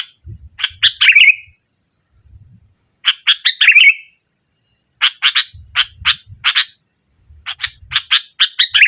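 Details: A vigorous sooty-headed bulbul in 'nggaruda' style, meant to push rivals and coax silent birds into song. Bursts of raspy chattering notes end in a slurred, descending flourish, separated by short quiet gaps with a faint thin whistle.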